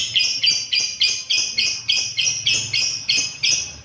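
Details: Lovebird, recorded as a training sound so other caged birds extend their ngekek; rasping, high-pitched chirps run back to back, roughly three per second, evenly paced throughout.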